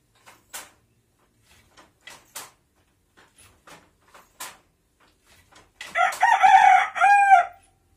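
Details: Rooster crowing inside a closed cage: one long, harmonically rich crow of about a second and a half, rising then holding before a final drawn-out note, preceded by scattered sharp taps and knocks.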